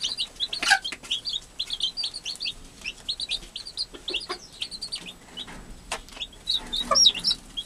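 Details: Newborn chicks kept by their mother, an American hen; continuous shrill peeping in quick sequences, downward-sliding notes, broken by a couple of loud sharp squeaks and soft rustling.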